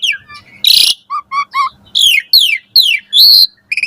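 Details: Asian pied starling singing in the morning, used for training caged birds: a raspy burst, short tonal whistles, then a series of loud descending buzzy whistled sweeps and a closing rapid stutter.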